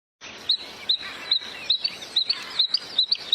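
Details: Bluethroat singing: a sharp high note repeated roughly every half second over steady broadband background noise.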